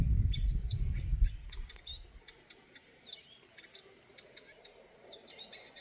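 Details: Eurasian nuthatch giving short, high, slightly upslurred chirps scattered through several seconds, a few notes in quick succession, after a burst of low rumbling noise at the start.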